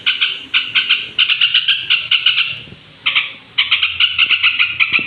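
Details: Straw-headed bulbul singing at bedtime, a recording meant to stir up other bulbuls; bursts of rapid, repeated chattering notes in short phrases of about half a second, with a brief gap near the middle and faint low background noise.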